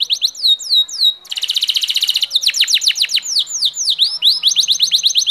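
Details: Singing canary delivering loud downslurred whistles, then a dense buzzy trill, followed by a run of sharp sweeping notes and a rolling repeated phrase, all high and rapid.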